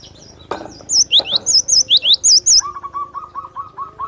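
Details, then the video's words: Cinereous tit (glatik batu) song: about ten sharp, high whistled notes in a rapid string, each dipping then rising, followed by a series of lower, evenly repeated short notes from another bird. "Suara burung Glatik batu pemancing emosi pemasteran"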